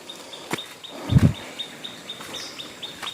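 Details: Hill prinia, locally called ciblek gunung, heard beside a river during a walk searching for stones: a steady series of short, thin high notes about four per second, with one dull low thump and soft outdoor background noise.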